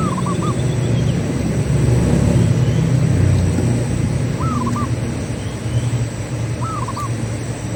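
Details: Local zebra dove singing as a lure for other doves: three soft phrases, each a rising coo followed by two short notes, spaced a few seconds apart against a heavy low rumble.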